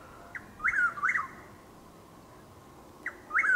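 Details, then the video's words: At dawn in Lake Placid, Florida, on an overcast, drizzly April morning, a Chuck-will's-widow gives its whistled three-part phrase: a faint pick note then two rising-falling whistles, repeated about three seconds later. "Chuck-will’s-widow (Antrostomus carolinensis Gmelin 1789) making its call in Lake Placid, FL"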